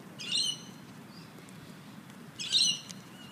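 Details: Two harsh, grating screeches about two seconds apart from sulphur-crested cockatoos at play with a coffee cup in the Royal Botanic Gardens, Sydney, over quiet outdoor background noise.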